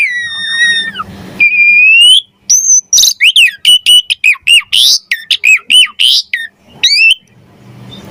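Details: Javan pied starling in full gacor song, suited for masteran: a falling whistle with overtones, a sustained tone, then a rapid string of sharp chipping notes and rising whistles before it fades to quiet.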